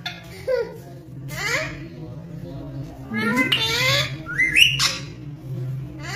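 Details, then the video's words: Caged Rose-ringed parakeet talking: a run of speech-like syllables with rising, slurred whistled notes, several sharp upward sweeps near the middle and a loud squeaky note before the end, over a steady low hum. "Ringneck Parrot Talking in Cage"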